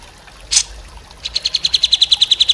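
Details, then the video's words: Grey-cheeked bulbul, known locally as cucak jenggot, used as a master recording for training songbirds: a short burst of noisy chatter, then a fast run of about fifteen sharp, evenly spaced chipping notes. "MASTERAN CUCAK JENGGOT"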